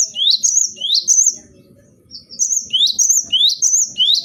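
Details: Tutor recording of a gelatik batu, or cinereous tit: bright rising whistles alternating with short high notes in rapid repeated phrases, a brief gap, then the rhythmic sequence resumes.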